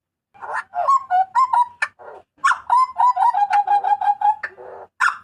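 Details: Loud, clear cries from a Papuan butcherbird: bursts of quick, strong whistled notes with harsh rasping notes between them, including a long rapid run of level notes. Quiet background.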